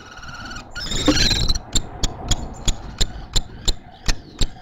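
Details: Common kestrel at a nest in Théding, France, during a prey exchange on 2 April 2023: a harsh, harmonic, drawn-out trilling call for about a second and a half, followed by a run of sharp knocks repeated roughly three times a second.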